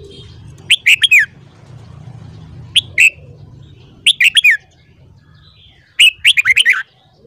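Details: Red-whiskered bulbul singing in the morning, used for voice training of bulbuls: four short, bright warbled phrases of three to five quick slurred notes, spaced about two seconds apart, over a low steady hum.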